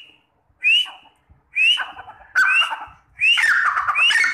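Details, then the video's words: A partridge calls in loud, shrill phrases, each a rising whistled note with harsh, grating undertones, repeated four times at just under one-second intervals. "Teetar ki awaz | Partridge sound"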